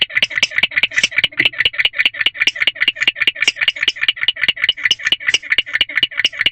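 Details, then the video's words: A male barn owl keeps chirping at night in a nest box (Owl Box D), 1:22 am, 5/3/23, giving steady rapid bursts of harsh, rattling chirps, roughly two to three each second, with no other sounds. "Mystery Chirping Male Barn Owl Continues."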